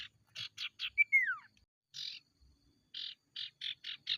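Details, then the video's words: Ashy tailorbird (sirtu) singing 'konslet' as a lure for other tailorbirds: three buzzy notes, a sharp whistle sweeping down, one longer rasp, then after a pause five rapid harsh buzzes. "Burung sirtu konslet gacor"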